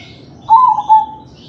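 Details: Crossbred zebra dove cooing as a 'kalung tempuk' style, played to prompt other doves to sing: two soft, mellow, low whistled coo notes in quick succession, then silence.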